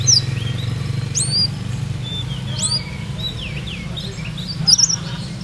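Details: Olive-backed sunbird, a Purworejo singer with a soft rhythmic song in 'ngeroll nembak' style: high piercing upslurred and downslurred whistles mixed with sliding mid-pitched chips, irregularly spaced, over a steady low hum.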